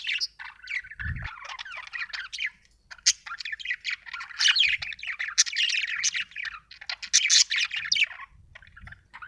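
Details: Budgie warbling in a long stream of fast, scratchy chirps, clicks and high squeaky notes, with a brief low thump near the start.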